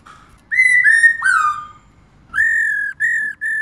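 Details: Female black-throated laughingthrush calling continuously to stimulate males: three loud whistled notes that slur downward, a pause, then three steadier level whistles, all clear against a quiet background.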